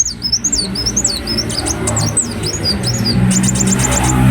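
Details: High, squeaky twittering from a ruby-cheeked sunbird, quick sweeping chirps in a busy run, fading into thinner ticking notes while a rising rumble like a passing vehicle grows underneath.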